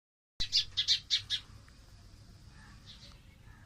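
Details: Two sparrows perched on green tree branches; a quick burst of five sharp, high chirps in the first second, then a faint thin whistle and softer chirps over low background rumble.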